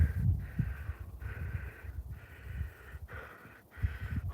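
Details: Several common ravens squawking, possibly disturbed by crows, near a dead moose, giving drawn-out, hoarse calls in quick succession about one per second, over a steady low rumble of wind and close breathing.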